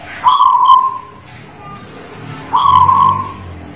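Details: Singing (manggung) Zebra dove, Guling Murio style from the Muria mountain area of Kudus: a rolling coo starting with a short stutter and trailing off, then a second phrase after a two-second pause, with faint low background hum.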